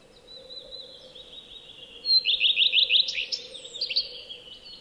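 A common redstart sings a thin, high drawn-out whistle, then a quick run of repeated chirping notes ending in a varied scratchy flourish, over a faint steady hum.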